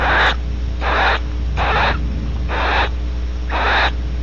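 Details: Female barn owl after mating at Audubon Starr Ranch, California, giving five loud hissing wheezes, each about a third of a second, spaced roughly every 0.9 seconds over steady low background hum.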